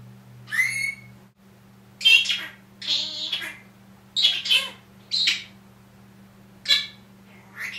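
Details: Pet Senegal parrot, one year old, talking in human words such as "Good Morning" and "I'll be back": clustered hoarse, speech-like syllables and short phrases with pauses, over a constant low hum.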